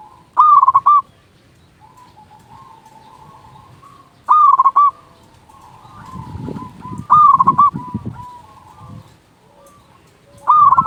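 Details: Local zebra dove with a big voice, used to lure doves and stimulate quiet or stressed birds. Four loud trilled coo bursts come about every three seconds, with soft cooing between them and a low rumbling noise in the middle section.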